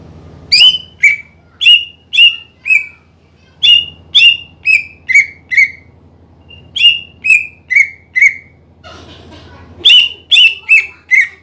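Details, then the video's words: Greater green leafbird, a kept songbird in lively full song, its recording used to provoke rival birds into singing; loud clear whistled notes sliding downward, delivered in fast runs of four to six with short pauses, over a steady low hum. "PANCINGAN CUCAK IJO GACOR MEMANCING EMOSI LAWAN AGAR RAJIN BUNYI"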